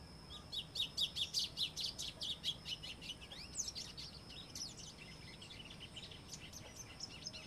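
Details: White-throated seedeater (golinho) singing: a rapid run of sharp, high chipping notes, about two or three per second and loudest over the first three seconds, then trailing into softer scattered twitters over a steady background hiss.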